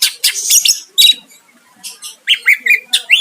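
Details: Greater green leafbird singing to draw a rival's answer: dense scratchy high notes, a pause, then a string of short rising whistled phrases.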